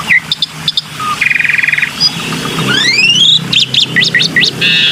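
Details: Black-winged myna used as a lure: brief clicks and whistles, then a steady buzzy rattle and a rising swept note. A burst of quick zigzag whistles ends in a buzzy trill, over a low hum.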